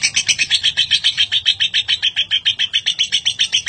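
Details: A lovebird's ngekek, a long chattering song used for tutoring other birds. Rapid scratchy pulses come evenly, about six each second, in a continuous rattle with a soft low rumble behind.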